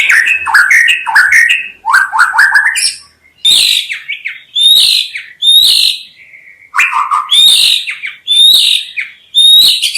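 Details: Varied song of a white-rumped shama, with quick jumbled warbles followed by bright high whistled phrases spaced by short pauses, each sharp and clear against a quiet background.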